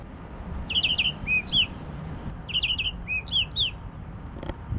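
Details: Tropical Mockingbird on the shore at Vitória, Espírito Santo, Brazil, at low tide, singing two matching phrases of clear, whistled and slurred notes, each about two seconds long, over a low background rumble.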